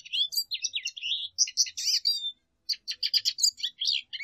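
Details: Lesser goldfinch song of fast tumbling twitters and whistled slurs, a drawn-out descending whistle, a short pause, then a renewed run of rapid chirping notes.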